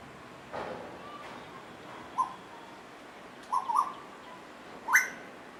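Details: Asian koel, one of two birds singing and playing together: short, clear, mid-pitched whistled notes come singly and in a quick pair, then a louder final note rises sharply, with brief pauses between them and a soft background hiss.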